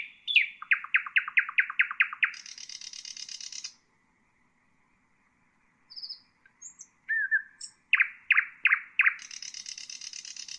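A nightingale sings a rapid run of eight descending whistled notes, then a dry buzzing rattle, a pause, a few pure whistles, and another fast series.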